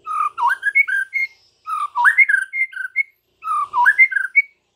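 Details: White-rumped shama master song meant for training caged birds, one melodious whistled phrase rising and falling, repeated three times with short gaps.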